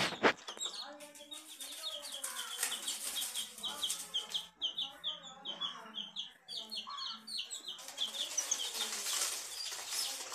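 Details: Baby chicks, coloured, giving a steady stream of thin rising peeps, many overlapping, with a loud bump at the start and rustling noise later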